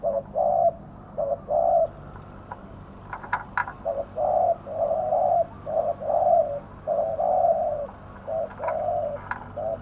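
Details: Spotted dove kept as a decoy bird to lure others in Thailand: low, hollow cooing phrases of several notes delivered in bursts with short pauses, plus a few sharp high chirps from other birds and a faint background hum.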